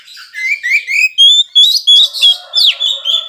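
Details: Continuous Oriental magpie-robin song used to trigger aggression in less reactive rivals: a series of rising whistled notes roughly three per second, steady clear tones, and a downward sweeping slur.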